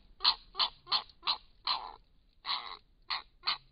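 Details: Grey heron at a nest at Hen Reedbeds, where a pair is raising young, giving harsh, rasping croaks in short bursts, about three each second, with brief pauses between groups; no other sounds stand out.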